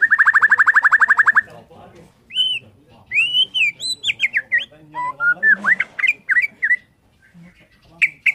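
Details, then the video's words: White-rumped shama of the Borneo type singing in the morning, said to provoke other shamas to join: a rapid steady trill for over a second, then varied arched whistles and sharp rising notes. "KICAUAN MURAI BORNEO PAGI BIKIN MURAI MANAPUN SEKETIKA TERPANCING IKUT BUNYI"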